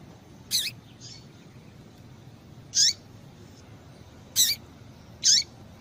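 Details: A female Double-collared Seedeater's call, used to stimulate males to sing: short, sharp, high chips at irregular intervals, with a faint low background hum.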